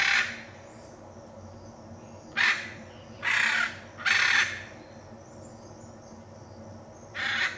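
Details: Harsh grating screeches from a Hyacinth macaw in Brazil's Pantanal, five loud broadband calls, two close together near the middle, with a faint constant hum beneath.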